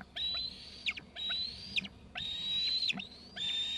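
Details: High thin whistles from two eaglets that have left the nest for Gregg's tree, each note held flat and then slurring downward, repeated rhythmically.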